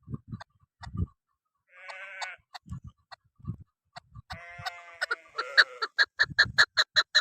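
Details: A female chukar gives hunting-decoy calls: harsh, nasal, bleating calls that speed into a rapid run of clucking notes, about two or three a second, over low thumping noises.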